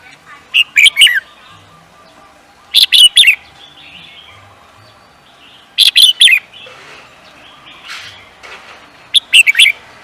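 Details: Singing-contest bird repeating a bright three- to four-note phrase of sharp, high chirps about every three seconds, four phrases in all, with a faint softer twitter between them.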